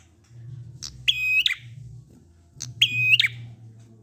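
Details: Prinia 'ngalun' song played to make quiet prinias join in: two phrases, each a click followed by a long level whistled note and a rapid twittering finish, over a steady low hum.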